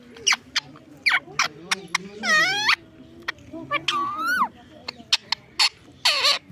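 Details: Pet parrot talking near its owner indoors; sharp clicks, harsh rising and falling squawky phrases and a long buzzy note, with human voices murmuring underneath.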